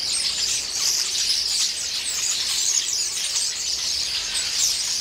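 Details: Starlings in a noisy flock raid a pear tree, a daily occurrence, bickering as they feed. Shrill squeaks, chirps and rasping notes overlap into an unbroken high-pitched din.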